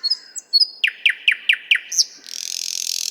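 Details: Nightingale singing in the 50th Anniversary of October park in Moscow, recorded with a shotgun microphone: high whistles, then a run of seven descending slurred notes and a long rapid buzzy trill at the end.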